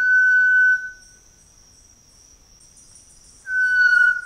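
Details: Variegated Tinamou song: a long steady pure whistle, then a pause and a second similar whistle beginning, over a constant high insect hum.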